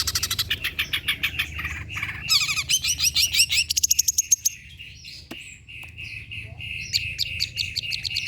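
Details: Long-tailed shrike song for training birds to sing: rapid rasping, buzzy rattles in the first half, then a run of evenly repeated, fairly steady mid-pitched chirps, low background hum.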